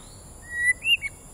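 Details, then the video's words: Captive white-rumped shama, a bird just over one year old and said to be off form, gives a short phrase of clear whistled notes: a level whistle, then a higher upslurred note and a brief final chirp, over steady background hiss. "yonghui the shama"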